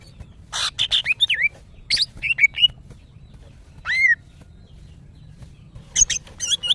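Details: Female greater green leafbird, kept and in breeding condition, calling males: broadband chips mixed with clear whistles bending up and down, a lone upward-sweeping note midway, then a fresh cluster of high twittering notes.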